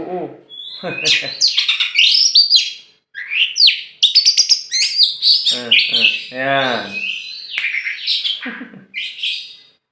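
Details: Champion oriental magpie-robin from Meulaboh, Aceh, tame enough to fly free before being hung: vigorous song of quick high whistled slurs, sharp chips and sweeping trills in dense phrases, with a brief rasping note mid-song.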